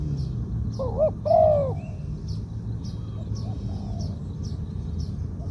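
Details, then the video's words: Spotted dove, medium-voiced, giving its two-'kuk' 'koo-ang' phrase, considered worth keeping as a ground decoy. A single mellow, slightly wavering coo phrase rises then falls, while faint repeated high chirps of other birds continue. "2 กุก คูอ่าง คารม เสียงกลาง ตัวนี้น่าเก็บทำนกต่อครับ นกเขาใหญ่ต่อดิน เสียงนกเขาใหญ่"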